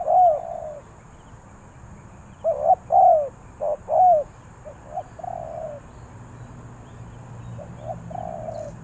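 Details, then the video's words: Repeated soft coo phrases from a spotted dove in Ninh Thuận, sung in the three-coo 'hanging' calling style: a long mellow coo, then a cluster of short hooting notes, a trailing coo and a fainter closing phrase. "เสียงนกเขาใหญ่ 3กุกห้อย เรียกลงกุก2กุก,Cu gáy Ninh Thuận"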